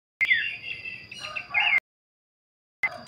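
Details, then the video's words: Babbler singing its characteristic luxurious kleperan style: a drawn-out sweeping whistle with harsh chattering overtones lasting over a second, a gap of silence, then a fresh burst of the same raspy whistling. "kleperan mewah khas burung pelanduk semak"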